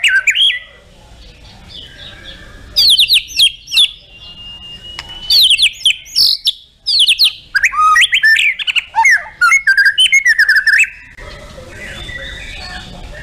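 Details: White-rumped shama, kept as a competition songbird, singing a varied, loud song of rapid whistled phrases, sweeping notes and chattering bursts, with a long steady whistle in the middle and short quiet gaps.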